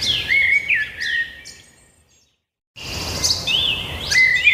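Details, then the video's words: Birds sing loud whistled and chirped phrases, broken by almost a second of complete silence before the chorus of bright high notes resumes. "birds singing"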